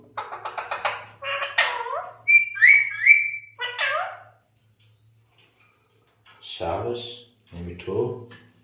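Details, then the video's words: A male Alexandrine parakeet talks, chattering in rapid speech-like syllables such as "hello" and "salam", with a few bright rising whistles followed by lower voice-like phrases. "Alexander Parrot talking | Alexander parrot sound male"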